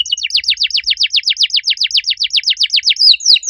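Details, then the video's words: Loud, lively canary song of the unique-style kind: a steady run of about twenty quick, downward-slurred whistled notes repeated roughly six per second, ending in a few higher sweeping notes. "Kenari gacor suara nyaring cengkok unik"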